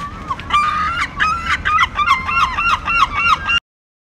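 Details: Herring gull (Larus argentatus) in Dún Laoghaire, Dublin, Ireland, on a town street, gives harsh, nasal, yelping calls in a rapid run of about three per second, strident and slightly wavering, over faint hiss.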